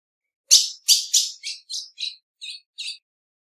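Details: Series of eight high chipping calls from a female ultramarine grosbeak, three loud sharp notes then five quieter, lower, spaced ones fading over about two and a half seconds.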